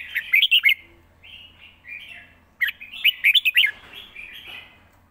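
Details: Red-whiskered bulbul kept as a cage bird in Thailand, its song praised as quick and well phrased; rapid clusters of loud, rich whistled notes separated by quieter slurred chatter, with a faint low hum beneath.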